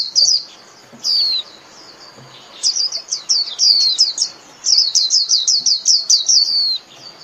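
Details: A Japanese white-eye sings to call its flock, opening with a few high chirps and building into a fast, steady run of sharp, rhythmic twittering notes.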